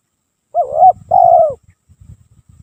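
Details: Spotted dove song used to lure birds, sung continuously: one wavering coo, then a longer steady note that falls at the end, followed by faint low clicking.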